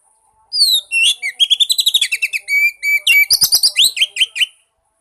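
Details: An Oriental magpie-robin sings a lure meant to prompt a silent bird: downward whistles, then a rapid chattering series of repeated notes and bright varied phrases with a few sharp clicks, stopping after about four seconds.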